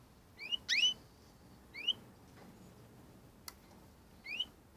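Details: European goldfinch fledglings, four that left the nest at the same time; thin, quiet, rising whistled notes, four short upslurred calls spread over a few seconds, plus a single sharp click against a soft background hiss.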